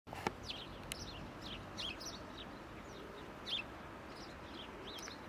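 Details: House sparrows recorded 2 February 2024 at Prule, Ljubljana, give short, bright chirps, several a second, overlapping as from a small group, over a steady low rumble of background noise.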